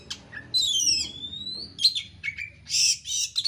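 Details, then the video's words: Oriental magpie-robin in fast, emotional lure song meant to set other birds singing: a long falling whistle with overtones, a slow rising slur, then harsh buzzy bursts and sharp chirps, over low background noise. "pancingan kacer gacor isian rapat cepat ngotot emosi"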